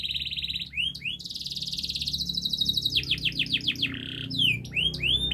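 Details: Fast, continuous canary song for teaching young canaries: a steady high trill, a buzzy sustained passage, bursts of sharp rising and falling whistled notes, with faint low background hum.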